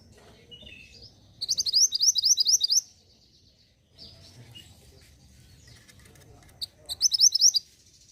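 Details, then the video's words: Mountain mantenan from Indonesia, caged, singing quick strings of high, bright, repeated chirps in two bursts with softer twitters between; the song is meant to trigger singing in other caged birds. "PENARIK RESPON BUNYI UNTUK BURUNG MANTENAN GUNUNG AGAR CEPAT GACORR"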